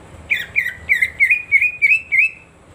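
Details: Cucak ijo (greater green leafbird) lure song meant to set a silent bird singing. Seven even, clear whistled notes, evenly paced, drifting slightly upward through the phrase.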